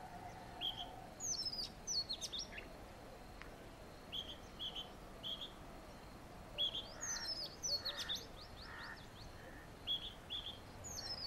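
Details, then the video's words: Male magpie robin calling: short high whistled notes and sharp descending squeaky phrases, repeated at irregular intervals, over faint steady background noise. "Magpie Robin calls"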